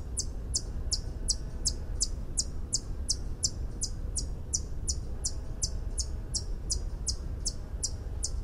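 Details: White-eared hummingbird song: a long series of short, sharp, high ticking notes repeated steadily about three times per second, each note bright and metallic, over a low rumble of background noise.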